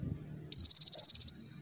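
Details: Konin song used to train young birds: a single quick trill of about fifteen evenly spaced high notes lasting under a second, over a faint low rumble.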